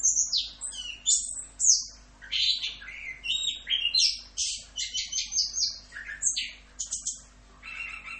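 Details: Orange-headed thrush in continuous 'full Rock'n Roll' tutor song: a busy mix of high sharp notes, trills and short whistles packed closely, with brief gaps and varied pitch throughout.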